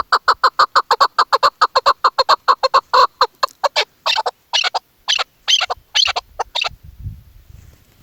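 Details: Female chukar partridge kept as a hunting caller in hunting season: a rapid, regular string of clipped chuk notes, then slower, harsher, broader notes in pairs before falling silent, with a soft rumble at the end.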